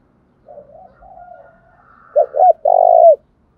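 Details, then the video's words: Spotted dove cooing, used to prompt other doves to start cooing quickly: soft wavering murmurs, then two short rising notes followed by one long, low, drawn-out coo. "cu gáy, cu gay kich boi nhanh noi gù, anh em mở bảo đảm gáy luân"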